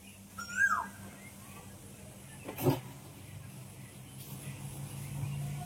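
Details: On a cloudy, breezy morning, a perched Asian koel gives a single clear, rising whistled note early on; it stopped calling after people imitated it. A dull knock follows, over a low steady hum and light wind.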